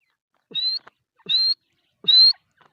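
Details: Female grey francolin (teetar) giving three clear, slightly rising whistled notes, each about a quarter second long and spaced roughly three quarters of a second apart, with a soft low grunt before each whistle.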